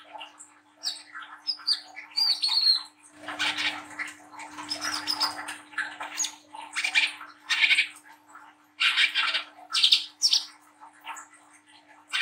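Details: Juvenile, speckled Brown-throated sunbird singing a long, busy run of high squeaky chips, sharp whistles and scratchy notes, packed closely with uneven short gaps, a faint low rumble midway and a steady background hum.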